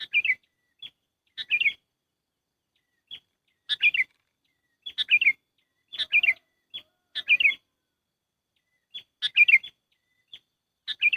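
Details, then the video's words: Sooty-headed bulbul lure call used for trapping: short high single notes alternating with bubbly, tumbling three- to four-note phrases that slide downward, repeated irregularly about once a second over eleven seconds, with a clean, quiet background. "SUARA PIKAT BURUNG KUTILANG AMPUH"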